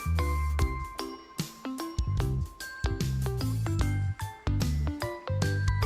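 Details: Bright tuned instrumental music with repeated chiming notes and a steady bass, and no animal voices.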